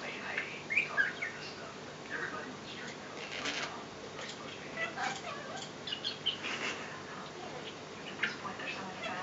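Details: Pet budgerigar chatters in quick, scratchy, high warbles with chirps, saying "I love you" and "good boy". He reportedly talks only with other noise around, and the other voices come from a TV in the background.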